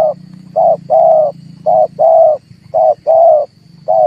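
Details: Trapping lure of a red turtle dove that prompts birds to call: regular low coos grouped as a brief note followed by a longer one, over a steady low background hum.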